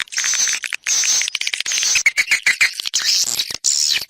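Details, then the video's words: Swiftlet external sound, 2020: buzzy high trills in bursts of about half a second separated by brief pauses, mixed with lower chattering chirps. "Free Swiftlet External Sounds"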